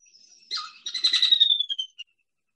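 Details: A Sora, an elusive marsh bird heard more often than seen, gives a rapid, high-pitched whinny of squeaky notes that tumbles down in pitch and trails off over about a second and a half.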